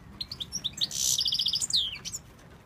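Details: European goldfinch from Tunisia, a male urged by his keeper to sing: bright, tinkling twitters with a quick run of evenly repeated chips and a sliding, buzzy note, as a man talks encouragingly nearby.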